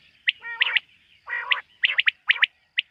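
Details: Quail calling at night, in a setting linked to quail hunting: short, sharp chirps mixed with two longer buzzy, nasal notes, repeated in quick clusters over a background hum.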